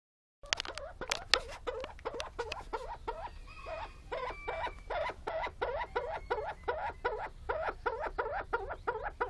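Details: A willow grouse ready to mate gives a steady stream of nasal, croaking notes, about three a second, with a faint thin whistle briefly in the background.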